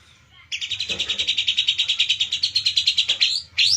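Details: Caged white-rumped shama described as being in excessive breeding condition, pouring out a fast, steady series of high, clipped repeated notes for about three seconds before a rising, sliding whistle.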